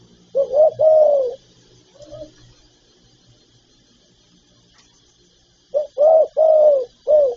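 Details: Spotted dove phrase from a lure recording: a loud double coo with a long falling hoot, a single faint note, a long pause, then four clear mellow coos in rhythm.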